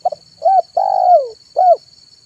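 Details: Afternoon song of a zebra dove used to lure wild doves: short stuttered notes, a rounded coo, a long purring coo sliding downward, and a closing rounded note, over a faint high steady hum.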